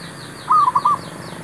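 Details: Single short zebra dove phrase used as a lure for trapping wild birds: four clipped, soft coo notes run together in half a second, with faint higher chirping behind.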